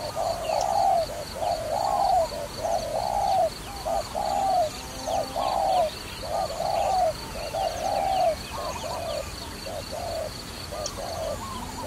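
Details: Long run of dove coos, used in trapping, in a regular rhythm of roughly one phrase per second. Longer notes alternate with clipped ones and fade toward the end. Light background chirping.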